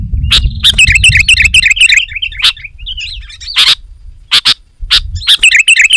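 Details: Sooty-headed bulbul in loud, busy song, meant to draw wild bulbuls closer and prompt home birds to answer; rapid chattering warbles repeated quickly, then scattered sharp bursts, with a low rumbling background early on.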